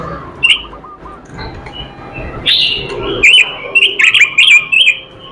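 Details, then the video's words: Singing robin with filler phrases: quiet scattered whistles build into a rapid run of loud, sharp chirped notes, about seven in quick succession, with a faint lower warble behind. "robin suara merdu gacor isihan"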